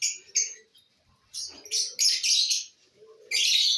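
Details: Lovebirds enjoying corn, trading sharp, high squeaky chirps, first two short ones, then a clustered run of harsh screeches and a final sustained shrill note.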